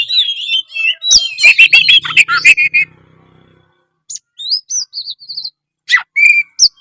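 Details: Oriental magpie-robin (kacer) in gacor singing form: a dense burst of rapid chirps and trills, then a quiet spell before scattered clear whistled notes and short high phrases return.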